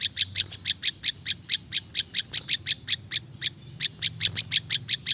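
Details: Wild-type prinjak lumut (a prinia) song for lure use: steady, rapid high-pitched chirping, roughly four to five notes a second, with one short pause near the end, a soft low hum beneath.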